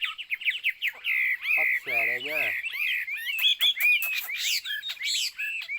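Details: Chinese hwamei song of rapid whistled notes and long bright sliding phrases, with a brief harsh lower rasping note near the middle, then quick sharp notes and falling whistles.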